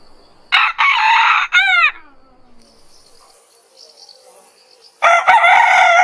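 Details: Rooster crowing in the morning, a crow the bird gives anticipating sunrise: a loud harsh cock-a-doodle-doo with a drawn-out falling ending, then a second crow starting, over a faint insect buzz.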